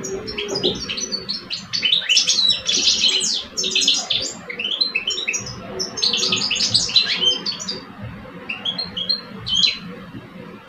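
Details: Two caged male European goldfinches, an old bird and a two-year-old, in a singing contest: dense, fast bursts of bright twittering and tinkling notes pour out almost without pause, with a soft low hum underneath.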